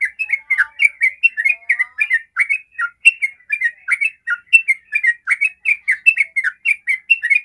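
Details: Continuous 'ropel' singing from a sooty-headed bulbul, serving as a lure to set other bulbuls singing: a dense, energetic flow of gurgling whistled notes with barely any pause throughout.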